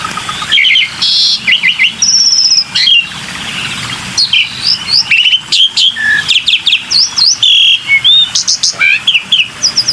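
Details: Black-winged myna lure call, a busy stream of short whistled slurs, squeaky upsweeps, buzzy notes and chirps in quick succession, with hardly a pause over ten seconds.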